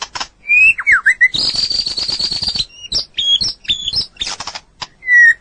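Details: Long-duration training recording of a white-rumped shama singing: a whistled slur, then a sustained buzzy rattle, followed by sharp chips and short high whistled notes ending in a clear falling whistle.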